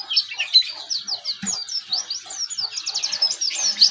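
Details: Oriental white-eye, young and learning to sing ngeriwik, gives quick, high chirps in rapid bursts of slurred notes, with a single low knock partway through.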